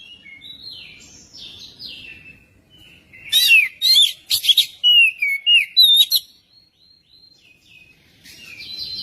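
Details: Magpie-robin song played to prompt a magpie-robin to sing: quiet whistled notes, then a loud run of scratchy bursts and falling whistles around the middle, pausing before a final phrase, with a faint low hum.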